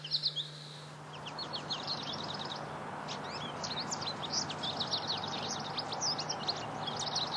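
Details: American goldfinch singing a long, rambling run of high twittering chirps and quick warbled notes, closely packed throughout, over steady low background hum.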